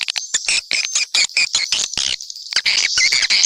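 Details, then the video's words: Swiftlets calling together, a mixed chorus of sharp, buzzy chirps in quick bursts with brief gaps between them. "Sp burung walet campuran"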